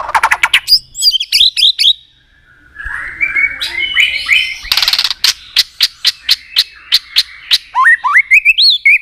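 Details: White-rumped shama singing in a provoking, competitive mood: a rapid run of sharp clicks, then rising whistled phrases and a buzzy passage, followed by a steady series of crisp clicking notes and upward-sweeping whistles.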